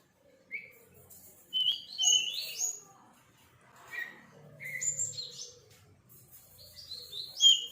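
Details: Young sirpu bird learning to sing: scattered short whistles, then phrases of quick high slurred notes separated by pauses, with faint low background hum.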